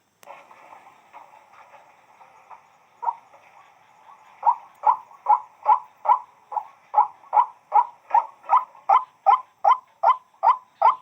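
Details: White-breasted waterhen, known locally as the wak-wak bird, calling in a steady run of harsh, nasal notes, about two to three per second, soft and muttered at first, then growing loud and evenly spaced.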